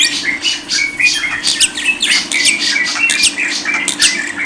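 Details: Masteran recording of lovebird song: a dense, busy chatter of short scratchy chirps and buzzy bursts, almost without pause, over a faint constant hum.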